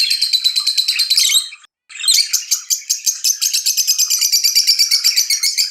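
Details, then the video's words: Excited lovebird chirping linked to mating, a fast pulsing stream of high, scratchy chirps with one brief pause, then resuming in steady rapid chatter. "أحسن صوت تغريد هائج لتزاوج طيور الحب"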